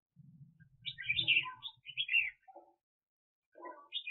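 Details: Red-whiskered bulbul serving as a decoy bird for trapping, 2021: lively run of chirpy, slurred whistled phrases with some lower notes, low rumbling background noise underneath, and a fresh phrase starting at the end.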